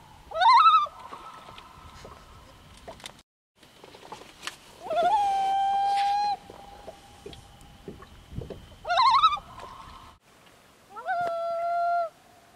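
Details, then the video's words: On Lake Nubanusit in Nelson, New Hampshire, a Common Loon gives four drawn-out, mournful, haunting cries, some swooping upward and one held steady for over a second, against a quiet background. "The haunting call of the Common Loon"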